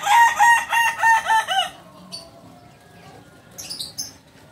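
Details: Kukuak Balenggek cockerel of pure Solok stock from West Sumatra, Indonesia. It gives a loud crow made of rapid, undulating, rising-and-falling syllables in a chain lasting almost two seconds, followed by quieter scattered chirps from other birds.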